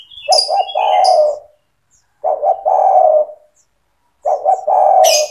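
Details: Spotted dove in lively song, played to train young doves to start calling: low cooing phrases of two quick notes then a longer rolling coo, repeated every two seconds, with high chirps of other birds.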